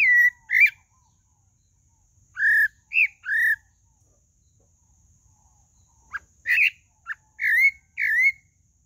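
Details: Song of the sabiá-do-barranco, or pale-breasted thrush: pairs and triplets of bright whistled notes separated by pauses, some with sharp clicks before them, in near silence otherwise.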